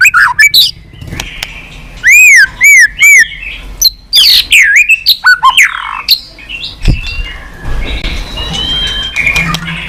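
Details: White-rumped shama, a tame captive bird with a varied song: loud arched whistles repeated in threes, rising and falling slurs, harsh squawky notes and clicks, then softer whistling near the end.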